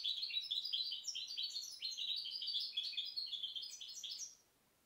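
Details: Rapid, jangling warble from a goldfinch hybrid dated 2010, a steady stream of high chirps and short buzzy notes that fades to silence near the end.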